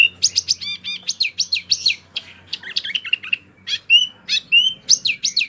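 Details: A mini wambie in full voice, kept for tutoring competition songbirds: dense chattering of high zigzag notes and squeaky trills, then clear upswept whistles, with a soft low hum in the background.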